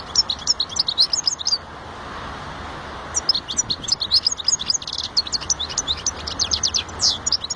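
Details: Goldfinch in full song: fast, liquid twittering phrases of high chirps and trills, a pause of over a second, then a longer lively burst with nasal buzzy notes mixed in, steady faint hiss beneath.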